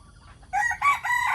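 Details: Morning crow from a decoy rooster: soft low sounds, then a sudden loud, harsh, harmonic crow rising in stages and held to the end.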